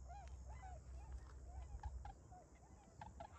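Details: Recently arrived migrant tundra swans, calling energetically and flying about over rice fields around Ochigata lagoon, Hakui, Japan, on 3 November 2022, give soft, nasal, slightly rising hoots, several overlapping every half second, over a steady low wind-like rumble.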